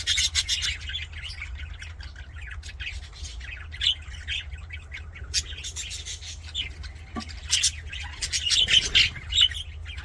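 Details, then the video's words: Happy budgerigars give irregular bursts of sharp, scratchy chirps and squawks, with a run of clear whistled notes near the ninth second and a brief lower call around the seventh. "HAPPY BUDGIE SOUNDS FOR LONELY BUDGIES"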